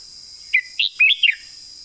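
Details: Contest red-whiskered bulbul giving a 'master song' (phaeng mae bot) phrase: four quick, liquid, warbled notes rising and falling, the last sliding downward, over a steady high hiss.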